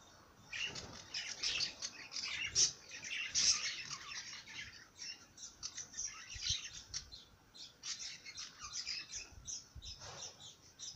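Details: Bird chattering with rapid, slightly harsh high chirps and squeaky notes in an irregular stream, about one per second, with faint knocks and rustles underneath.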